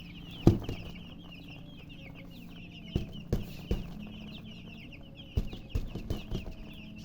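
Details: Chicks chirping as a crowd: rapid, thin, high peeps sliding downward, with sharp clicks and knocks scattered through and a faint low hum.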